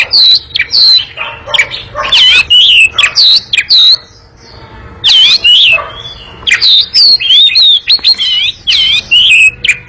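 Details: Long ngekek-style song from an Oriental magpie-robin, fast and boisterous: bursts of looping whistles and harsh chattering notes, a short break near the middle, then renewed rapid phrases.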